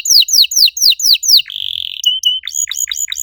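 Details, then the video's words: Canary singing as a master for training other canaries that have stopped singing: a run of loud, repeated downslurred whistles about five a second, a held buzzy trill, then sharp rising chirps in quick succession. "MASTERAN KENARI AMPUH BUAT MANCING KENARI LAIN YANG MACET BUNYI! - CANARY SINGING"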